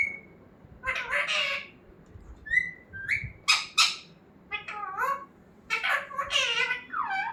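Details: Parrot that talks, kept as a pet, mixing short clear whistled notes with loud harsh squawks and chattering, speech-like bursts in an almost continuous, uneven series.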